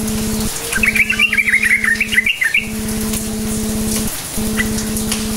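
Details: Sooty-headed bulbul in cukcuk nguplik style, played to coax quiet bulbuls into answering song: one fast warbling, chattering phrase of about one and a half seconds, then a single faint note, with a constant low hum behind.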